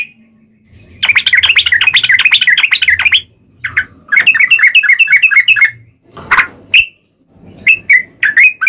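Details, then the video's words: Sooty-headed bulbul song used as a lure to make other bulbuls sing back: bursts of fast, bubbly chirping notes near the middle pitch range, broken by pauses and short louder notes, with faint low rumbling underneath. "KICAU SUARA trucukan gacor TARUNG ROPEL PANJANG ampuh MENJADIKAN burung trucuk gacor NYAUT SEKETIKA"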